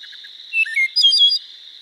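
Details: Wood thrush singing in Minnesota: a few soft low notes, then a rising flute-like phrase and a bright, rapid, trilled flourish lasting under a second, over a steady insect drone.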